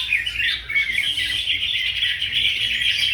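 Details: Greater green leafbird in a singing contest, delivering an unbroken stream of bright, high chattering notes and short rapid trills, fast and energetic throughout, over faint low background noise.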